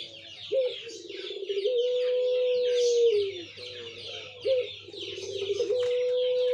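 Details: Puter pelung dove cooing in a singing contest on 17/11/21: low hooting notes followed by a long sustained level coo that dips at the end, repeated twice, over a constant background of chirping from many other birds.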